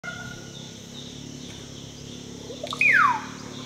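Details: Russet-backed oropendola (Psarocolius angustifrons) bowing display call, Panguana Reserve, Huánuco Region, Peru: a single loud, liquid slurred note dropping steeply from high to low, over a steady hiss.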